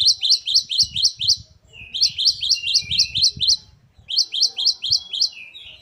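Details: Great tit, called gelatik batu, in lively varied song: rapid runs of high, sharply rising two-part notes, about two per second, sung in three bursts with short pauses between, over a faint low rumble.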